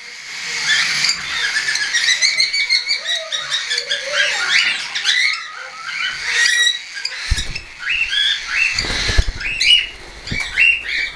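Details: Young hand-tame cockatiels, some already weaned and some not yet, kept at home and flying, recorded 10 September 2012; many overlapping bright chirps and short rising squeaks from several birds, with a burst of low thumping noise toward the end.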